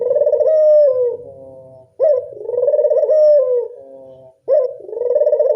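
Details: Local Barbary dove used as a lure for doves: repeated rolling coos, each starting with an abrupt upward note and running into a long, quavering, slightly descending purr. Roughly two and a half seconds separate the phrases.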